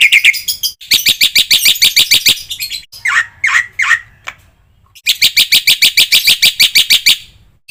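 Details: Black-winged myna song used as a master recording to train other mynas, full of fill-in phrases: bursts of rapid rattling notes broken by three slurred, falling calls, then another long rattling run.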